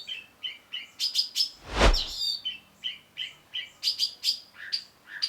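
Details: Long-tailed shrike (cendet) singing in lively 'gacor' style, kept as tutor material: a run of short, varied chirps and whistled notes around mid-high pitch, with a loud low thump near two seconds.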